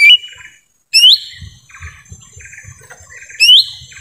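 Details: Lesser green leafbird in forest, a call used for luring wild birds: bright rising whistles repeated about every two and a half seconds, with soft buzzy chirping from other birds in the gaps.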